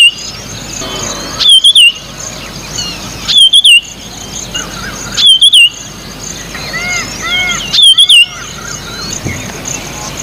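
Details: White-tailed or Marshall's iora singing around its nest: four short, clear warbling whistle phrases, each a rapid wavy trill, repeated roughly every two seconds against a constant high-pitched insect drone and soft chirps from other birds.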